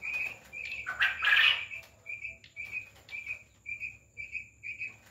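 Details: Farmed quail utter evenly spaced short chirping notes, with one loud, harsh, scratchy burst early on before the regular chirps resume.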